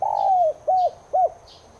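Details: Spotted dove, subspecies tigrina, cooing to prompt kept doves to answer: one long level coo that falls away, followed by two short arched coos, with faint high twittering in the background.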